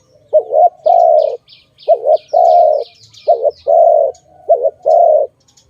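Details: Dove from a trapping context calling four times: a wavering two-part note followed by a long, mellow, level coo. Light, high chirping from other birds runs behind the first half.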